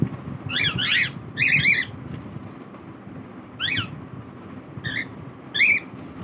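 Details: Cockatiels (Nymphicus hollandicus) in a colony during their morning routine give short, rising chirps and warbled squawks in scattered bursts over a steady background hiss.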